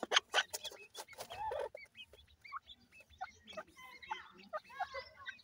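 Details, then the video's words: Grey francolin chicks at feeding time. Loud rough bursts open the clip, followed by scattered thin, high, upslurred and hooked peeps with a few soft clicks. "grey francolin chicks nice voice"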